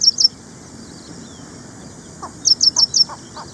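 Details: Ashy prinia of Indian gardens and farmland: two high notes at the start, then four sharp down-slurred notes, accompanied by soft lower chirps from another bird.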